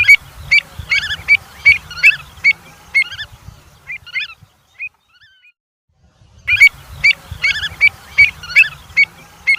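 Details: Avocet producing quick, repeated clear piping calls in a steady run, easing into scattered softer notes, brief silence, then another energetic burst of the same ringing notes; soft low rumbling in the background.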